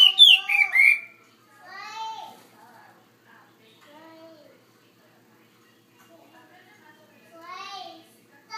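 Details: Chinese hwamei in a bigger cage gives a loud burst of clear whistled notes, then softer slurred phrases with pauses between them and another rising whistled phrase near the end.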